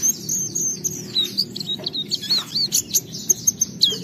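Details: Oriental white-eye in full song, used as a lure to provoke other white-eyes to sing: rapid, very high thin chirps and twittering trills in quick bursts, continuous chatter with a low steady hum beneath.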